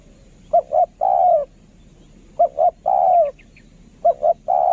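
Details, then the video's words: Decoy spotted dove giving its lure song in kharom style: two quick short coos, then a drawn-out descending croon, the phrase coming three times in quick succession. "นกเขาใหญ่ สายต่อ เสียงต่อหมานๆเสียงนกคารม"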